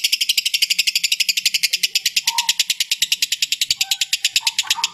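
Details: Contest lovebird ngekek used as mastering material for training birds: an unbroken, high, rasping trill of evenly spaced pulses, roughly six per second, with a few faint softer chirps beneath.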